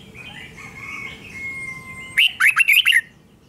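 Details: Caged red-whiskered bulbul singing doubled song for young birds to learn: soft, faint drawn-out whistles first, then a loud rapid phrase of about six sharp, warbling whistled notes.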